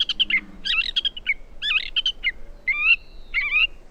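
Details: Gray Catbird song with mimicry of sora rail, western wood pewee, Wilson's snipe and Pacific tree frog: a rapid, varied jumble of squeaky, scratchy phrases with short gaps between them.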